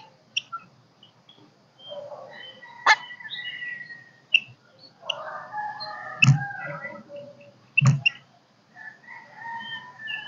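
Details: Golden-crested myna kept caged, singing to stimulate birds and call a flock, though not yet in peak form: mixed whistles, chattering phrases and sharp clicks, with low thumps heard twice.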